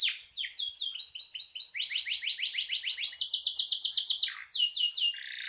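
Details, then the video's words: Canary in sustained song, intended as tutor audio for songbirds: changing phrases of rapid repeated notes, a fast pulsing trill, and a brief lower buzzy ending. "Suara burung kenari gacor"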